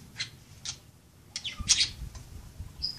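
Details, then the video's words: Playing budgerigars making short squawks and chirps, a few sharp bursts with a busier scratchy cluster in the middle and a thin whistled note at the end; faint low thumps beneath. "Pericos australianos jugando"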